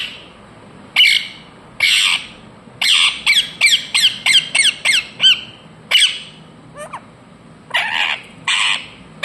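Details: Rapid bursts of grating, high squawks from an Indian ringneck parakeet, several quickly repeated downslurred calls in the middle, then scattered harsher blasts.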